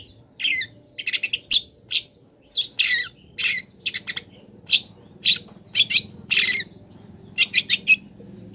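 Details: Long-tailed shrike song rich in imitations of wild birds, used as a master for cage-bird training: loud, rasping high squawks and chirps in irregular clusters with brief gaps.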